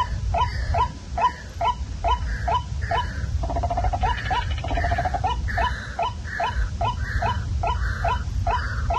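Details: Waterhen call broadcast at night as a lure for catching birds: a long series of repeated hooked notes, briefly broken by a fast chattering run in the middle, then resuming at a steady pace over low hum.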